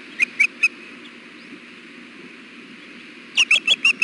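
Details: Female osprey fussing on the nest at Hellgate on a hot 93-degree June afternoon, apparently wanting the male to feed her: three sharp whistled chirps, a quiet gap, then five more quick piercing chirps over steady background hum.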